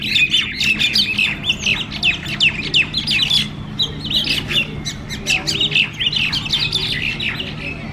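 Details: Mynas in a group fight, communal aggression, squawk harshly and chatter loudly in a dense, overlapping burst of sharp, scratchy calls, many birds at once with no pause; a low hum runs underneath.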